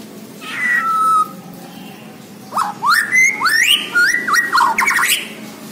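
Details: Borneo white-rumped shama in full song: a long steady whistle, then a pause, then a fast series of rising whistled sweeps and warbled notes, varied and loud, over low background hum.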